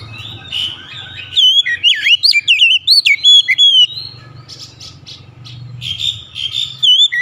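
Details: Oriental magpie-robin singing a burst of rich whistled phrases with twisting slurs, then quieter chattering notes and a second short whistled run near the end.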